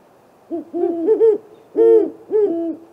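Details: A pair of great horned owls visiting a great gray owl snag tree nest at night, 8:50 pm on April 21, on a live nest camera. They give deep overlapping hoots in two pitches, in stuttering bursts with short gaps.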